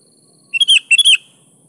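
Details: Single energetic phrase of sooty-headed bulbul 'gacor' song, meant as a lure: two quick clusters of bright, slightly descending chirped notes within half a second.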